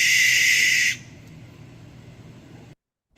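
An American Barn Owl gives one harsh, hissing, rasping scream lasting about a second, then stops abruptly, leaving faint background hum.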